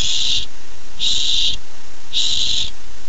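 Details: Excited barn owlet anticipating its first treat at the nest, July 13, 2015, gives three long breathy screeching hisses roughly one per second, over faint background hum.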